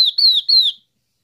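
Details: Yellow-eyed babbler call played as a lure to draw in the flock: three bright, slurred whistles, each sliding slightly downward, then silence.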